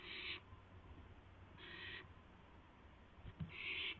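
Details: Owl at its nest at midnight on April 12, 2016, arriving with a mouse. Three harsh, hissing screeches, each roughly half a second long, come at uneven intervals over a steady low hum.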